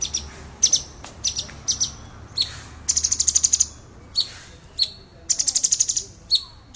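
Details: Male orange-bellied leafbird, worked up, delivers piercing 'nembak' song: a dense mix of crisp high chips and fast rattling bursts of seven or eight pulses, repeated without pause.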